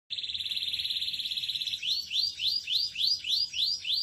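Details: A Belgian canary (Serinus canaria domestica) sings a fast, high buzzing trill, then switches to a run of rising whistled sweeps, about three a second.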